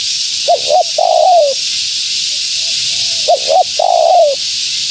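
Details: Female spotted dove calling to lure wild doves. Two brisk clipped notes lead into a drawn-out descending coo. The phrase repeats after a soft pause, over a steady background hiss.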